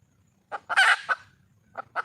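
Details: Wild red junglefowl hen calling for a mate: a single cluck, a loud, broad, rasping squawk with a cluck after it, then two more short clucks after a pause.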